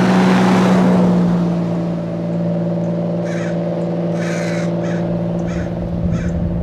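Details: American crows mobbing and dive-bombing a Red-tailed Hawk perched at a roadside in Del Monte Forest, California, give a few harsh, raspy caws in the second half, over a steady low engine drone and a passing vehicle at the start.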